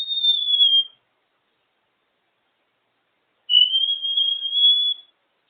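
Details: African grey parrot out of its cage and vocalising, giving two clear pure whistles: a slightly falling note lasting under a second, then after a long pause a steadier, longer whistle of about one and a half seconds.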